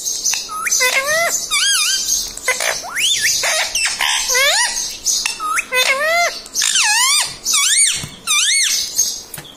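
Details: Talking pet parrot saying mummy and papa: a rapid run of strained, upward-bending harmonic syllables, some hooked and falling, packed between scratchy broadband squawks for nearly ten seconds.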